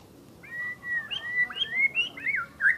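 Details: Asian brown flycatcher song of sweet whistled notes, mostly steady in pitch with a few upward flicks, growing louder and more varied toward the end.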